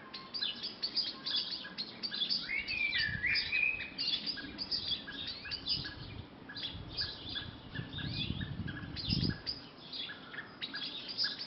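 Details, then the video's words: Birds singing in a back garden at lunchtime: several overlapping chirps, twitters and whistled phrases throughout, with low rumbling background noise. "Sound of birds in our garden"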